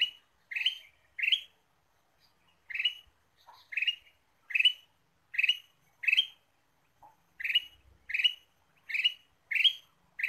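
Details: Ruby-throated bulbul calling vigorously as a bird lure, a long series of sharp, rasping chirps, mostly in bursts of two or three, with a few brief quiet gaps.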